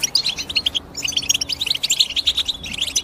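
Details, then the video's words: Bright, tinkling chirps of a European goldfinch: quick high notes in phrases, a short gap near the first second, then steady twittering to the end. "The GOLDFINCH CHIRPING SOUND"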